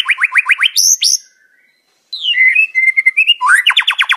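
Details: White-rumped shama in nonstop singing: a run of quick rising whistled upsweeps, high squeaky notes, a short pause, then level slurred whistles and another fast series of rising strokes.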